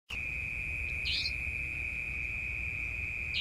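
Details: Savanna Nightjar in Malaysia, recorded 7 November 2020: a single sharp, high, buzzy call about a second in and another starting at the very end, over a continuous steady insect whine.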